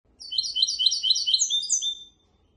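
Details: Goldfinch and canary hybrid singing a song used to teach goldfinches and canaries: a fast run of bright, high twittering notes lasting about two seconds, ending in a drawn-out whistle.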